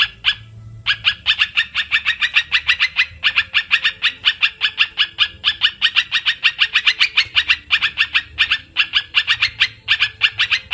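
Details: Olive-winged bulbul lure call used in bird trapping: after a short opening pause, a long, fast, continuous chatter of sharp ringing notes, about five per second, clean recording.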